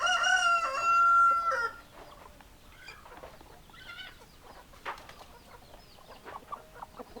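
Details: Rooster gives a loud, drawn-out crow lasting under two seconds, strong and harmonic, followed by quieter hens clucking in short, irregular bursts for the rest of the recording.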